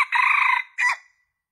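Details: Lure call of a junglefowl for attracting males: the long sustained, rasping middle of a crow ends in one short, sharp closing note that fades quickly into silence.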